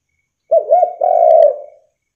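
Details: Spotted dove giving a lure call meant to set other doves calling: a short double coo, wavering and low, then a sustained hollow coo lasting about half a second, in a quiet setting.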